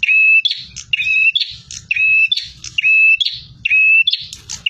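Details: Aggressive bar-winged prinia in full song, repeating a loud phrase roughly every second: a flat clear whistle followed by harsh buzzy chatter, with dull knocking noises underneath.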